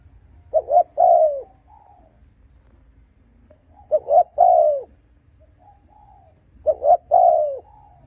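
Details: Cooing of a spotted dove, used to provoke and lure rival males. Three phrases about three seconds apart, each two quick low notes followed by a drawn-out falling coo, with a soft trailing note after each.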